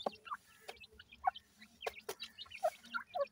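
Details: Young francolins being fed, making short, slightly bent peeping notes and soft chirps in quick succession, mixed with crisp pecking clicks and a low steady hum.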